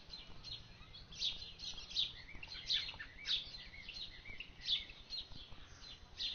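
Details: Orchard oriole in a garden giving a series of bright, high whistled notes, fairly quick and uneven in spacing, over a steady low background hiss.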